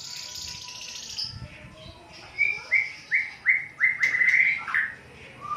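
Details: White-rumped shama tutor song for training other birds: a soft high hiss, then a run of five or six loud, clear upward-flicked whistles about every half second, ending in a warbled flourish.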